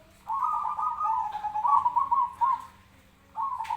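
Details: Zebra dove giving its fighting call, recorded for training other birds: a long, rolling, trilled coo lasting almost three seconds, then a second phrase starting. A steady low hum runs underneath.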